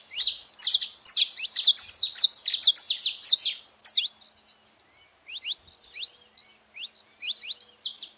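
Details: Saffron finches calling loudly at a seed feeding spot. A tight cluster of piercing high chirps comes first, followed by sparser, thinner tweets spaced about half a second apart.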